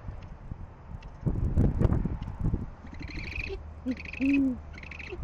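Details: Great horned owls at a nest in Oklahoma City on a February morning at 6:40, as the male delivers food; short soft hoots and squeaky high notes among rustling and thumps of movement.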